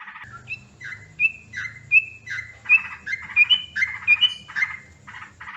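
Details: Yellow-vented bulbul (trucukan) calls used as a lure for bird trapping: bubbly, liquid chirps alternating with short bright whistled notes, repeated more than once per second, rising and falling, against a faint low hum.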